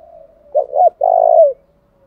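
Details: Decoy spotted dove meant to provoke rival birds, a single low cooing phrase: a faint lead-in hum, two short notes, then a long steady hoarse coo falling at the end.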